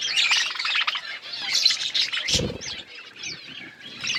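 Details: Budgerigars chirping as a flock: rapid high warbling chatter with short rising squeaks, plus one brief low thump midway.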